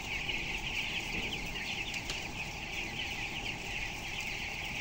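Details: Broiler chicks aged 12 days, 423 grams, in a closed-house unit of 7,000; an unbroken wash of high-pitched peeping from many birds, with a couple of faint knocks midway and a strong low hum beneath.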